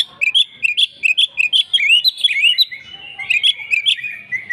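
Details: Agitated fighting song of an Oriental magpie-robin: fast strings of rich slurred whistles and rolling phrases, busy and unbroken, with crisp high clicks over the top.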